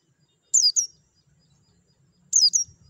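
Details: White-eye, used to prompt kept birds to sing: two bursts of high, thin, downward-sweeping chirps, each a pair of notes, nearly two seconds apart, against near silence.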